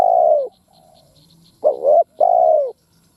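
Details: Spotted dove decoy calling 'thúc gù gáy' to stimulate other doves: the end of one long soft coo, then a full phrase of a short wavering coo and a drawn-out falling coo, with faint high ticks behind.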